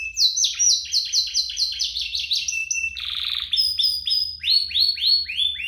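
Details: Canary singing, played to prompt other canaries to sing: fast series of bright descending chips, a buzzy trill around the middle, then quick repeated sweeping notes.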